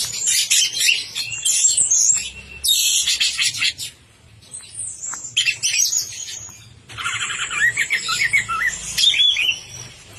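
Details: Dense, varied song from an orange-headed thrush in full 'teler' delivery: long bursts of high chattering notes broken by a brief gap, then a sweeping whistle and more rapid twitter, over a faint low hum.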